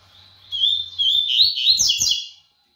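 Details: Fast, energetic song of a brown double-collared seedeater: a continuous string of quick, sweet warbles and slurred high notes, delivered almost without pause for two seconds before ending cleanly.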